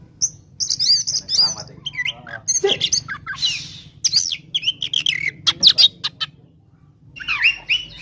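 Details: Oriental magpie-robin giving its combative song to provoke rivals: scratchy chattering bursts and squawky notes mixed with quick high whistles, a brief lull, then a final burst of rising slurred notes.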